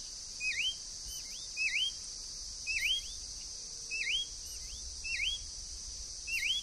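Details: A wild green-backed becard (Pachyramphus viridis), free in nature, gives short whistled notes that dip and then rise sharply. They repeat roughly once a second over a steady high insect drone.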